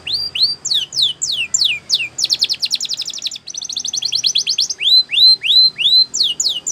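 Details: Spanish Timbrado-style canary song for training young canaries: descending whistled slurs repeated in series, a rapid rattling trill, then a bright run of rising whistles.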